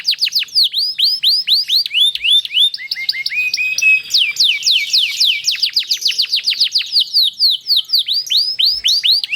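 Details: Canary singing a long rolling song, known locally as ngerol panjang or nembak rapat, played to lure other canaries into singing. Rapid high sweeping notes, mostly downslurred, come in dense trills of about four per second, forming an unbroken bright warble.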